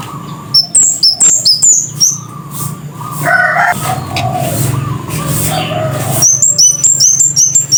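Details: Scarlet-headed flowerpecker (kemade kepala merah) delivering bursts of rapid, shrill, very high ticking notes at the beginning and again at the end, separated by a middle stretch of lower warbled whistles and background noise.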